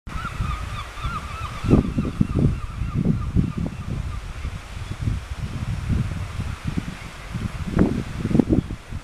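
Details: Razorbill on 10 April 2020: deep, guttural grunts and growls repeat in quick bursts over a low rumble of wind or surf, with a faint wavering whistle early on.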